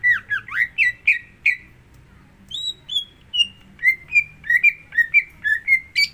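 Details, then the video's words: Lure recording of a Greater green leafbird to make another bird sing: tumbling looped whistles, a pause, high clear notes, then a fast steady string of down-slurred whistles. "Pancingan Untuk Cucak Hijau Agar Mau Bunyi"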